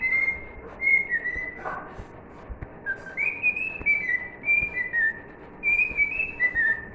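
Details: Whistled rendition of "If You're Happy and You Know It" by a cockatiel, a run of clean, slightly wavering notes grouped into repeated melodic phrases separated by a gap of quiet.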